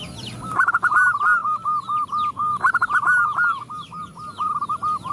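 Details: Several zebra doves answer a female calling for males, producing dense, fast runs of short cooing notes that barely pause, loud and overlapping, over soft high chirps of smaller birds.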